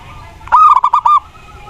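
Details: Mataram-type zebra dove song, played as a lure to set other doves singing: five rapid, rough cooing notes running together in about 0.7 seconds, then quiet with low background hum.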